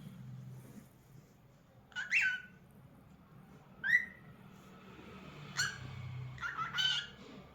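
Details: Cockatiel singing with lively movements: a few scattered short whistled and chirpy notes spaced a second or more apart, some with a rising slur, over a quiet room background.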